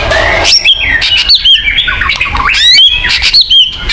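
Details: White-rumped shama song used as a lure to stimulate a caged bird's territorial instinct. Loud, varied phrases of sharp rising and falling whistles and quick slurred notes, delivered nearly without pause.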